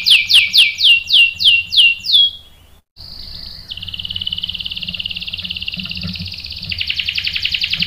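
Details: Lure song of a canary meant to make other canaries respond with sharp rolls: a series of bright downslurred notes, a brief pause, then a long buzzy rapid trill that shifts to a lower pitch and back up.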